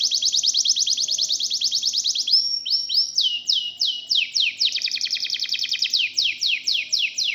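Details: Canary in long rolling song: a fast high trill, then slower sweeping downward notes and rapid repeated phrases, changing tempo several times without pause, over a faint low hum.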